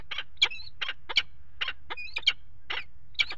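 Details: Peregrine falcons mating on a water-tower nest ledge in early February 2018: rasping, grating calls given about three per second, some with a thin whistled overtone, steady low hum behind.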